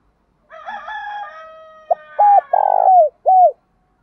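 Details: Spotted dove cooing to draw in wild rivals to fight, preceded by a rooster's drawn-out crow. The dove gives a brief note, a flat coo, a long burring coo that slides downward, and a closing falling coo.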